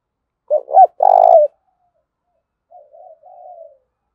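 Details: Spotted dove giving an urging coo used as a lure to draw wild doves into calling: two short, low hooting notes and a longer, stronger coo, then a quieter, softer run of three trailing coos after a pause.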